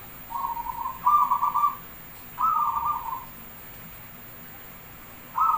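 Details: Javanese zebra dove (perkutut) song for counting its beats, used as a lure to set other birds singing: three soft, pulsed cooing trills, each under a second, the second and third beginning with a short higher note, over a quiet hiss.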